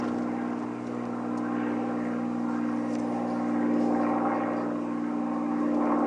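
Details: Continuous propeller aircraft drone during an evening sunset safari drive, a steady low engine hum that swells slightly toward the end.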